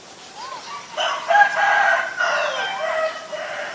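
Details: Asian barred owlet: a short rising whistle, then a loud, bubbling harmonic chatter that builds and slowly tapers over about three seconds.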